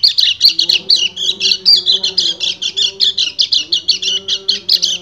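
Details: A male white-eye gives an unbroken ngecir song to draw a breeding female: quick high chirps repeated several times a second, with a faint low steady whistle-like tone underneath.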